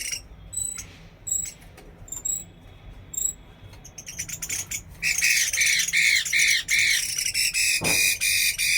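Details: Chinese hwamei during a bird trial, opening with soft scattered whistles, then bursting into a loud, continuous stream of slurred whistles and grating notes.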